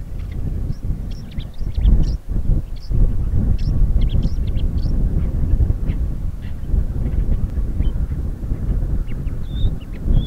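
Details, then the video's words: Rare Crimean guest, the woodchat shrike, delivers a busy chatter of brief sharp notes and chirps, ending in two clear thin whistles, over heavy low wind noise. "Красноголовый Сорокопут. Сольный концерт в Крыму."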